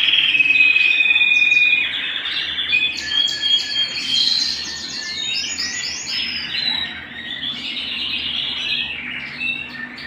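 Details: Domestic canary singing indoors at home: a long thin whistled note opens, followed by fast rolling trills and chattering phrases that rise and fall, with steady low background hum.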